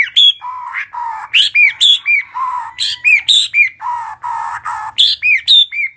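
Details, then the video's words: Bird bobbing its head while singing a greeting, a fast steady series of squawky, chirping notes that jump between low and high pitches, roughly four per second. "Chim lắc đầu hót chào"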